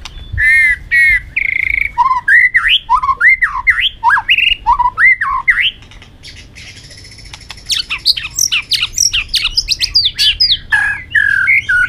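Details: Fighting song of a white-rumped shama, played to train and excite birds: harsh buzzy squawks, then a string of looping rising-and-falling whistles, a short pause, then fast jumbled chattering phrases.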